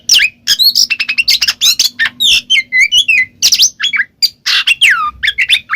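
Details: Kacer (Oriental magpie-robin) ngeplong song played to draw a response from a silent bird: dense stream of sharp whistled notes, upward slurs and downward sweeps, with scratchy squawks mixed in and brief pauses.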